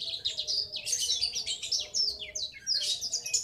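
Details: Rolling ngriwik chatter from a young male black-throated canary, used to determine sex: continuous high-pitched twittering of fast descending chirps with a steady faint hum behind.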